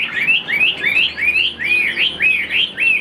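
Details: Caged Chinese hwamei, a tame songbird praised for fast singing, repeating a mellow upslurred whistle roughly three times a second, each note sweeping up then curling down, steady and clear.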